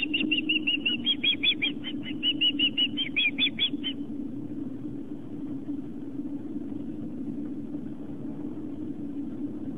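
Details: Osprey calling at a nest on Long Island, New York, on a September 2007 afternoon during a fish delivery by the male to his mate and two young: rapid, high, piping chirps for four seconds, then only a steady low rumble.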